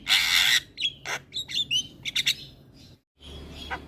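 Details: Javan myna gacor singing: opens with a loud harsh rasp, followed by quick whistled notes and chips, then a brief silence and a faint closing note.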